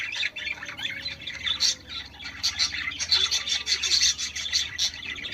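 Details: Warbling chatter of budgerigars, sung to prompt breeding: rapid chirps, clicks and squeaky notes pour out continuously, rising and falling in loudness every half second or so.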